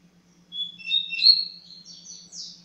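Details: Coleiro seedeater delivering a Tui Tui Zero Zero style phrase: thin, high sustained whistles sliding upward into a buzzy, rising flourish, over a steady low electrical hum.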